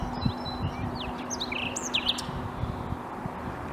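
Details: Common nightingale near Bursa, Turkey, 14 April 2021, giving loose, varied phrases of swooping whistled slurs and short sharp notes at high pitch, with some low thuds and constant hum underneath.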